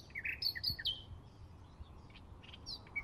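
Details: May 2016 Bluethroat: a quick tumble of high chirps and short descending slurs packed into the first second, then quieter scattered squeaky notes over a low background hiss.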